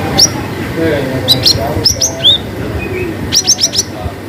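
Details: Cinereous tit singing in the energetic long-chirp style called gacor wucit panjang: sharp high chirps and quick downward sweeps in bursts, ending with a rapid run of four or five clipped notes, over steady low music and murmuring.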